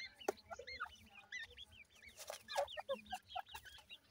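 Partridge chicks keep up a busy chorus of thin, high peeps, many quick hooked chirps overlapping several times a second, with a few lower notes mixed in.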